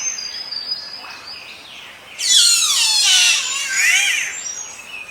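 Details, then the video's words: Green catbird in dense forest gives a harsh, wavering, cat-like wail of about two seconds, dropping then rising, a surprisingly human-like scream over faint background birdsong. "The green catbird produces harsh screams and crying calls that are surprisingly human-like."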